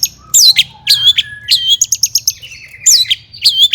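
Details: Long-tailed shrike kept in a cage, called cendet, in agitated song used as a provocation for other shrikes. It gives mimicked whistles: clear upslurred notes, quick chirps and a sustained thin tone, varied and irregular.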